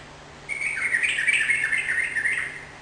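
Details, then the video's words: Energetic Sooty-headed bulbul song used to get a kept bird answering: a flowing two-second run of liquid, gurgling warbles that rise and dip in pitch. "suara burung trucukan gacor || jadikan trucukan mu ikut nyaut dan gacor"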